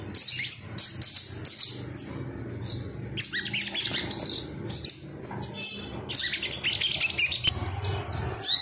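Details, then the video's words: Agitated male Ruby-cheeked sunbird, said to be seeking rivals and used to make other birds sing, gives bursts of sharp, very high chirps and thin metallic twitters, broken by short pauses, with faint low background hum. "MASTERAN SOGON AGAR CEPAT NGALAS GACOR ❗BAHAN TERAPI SOGOK ONTONG"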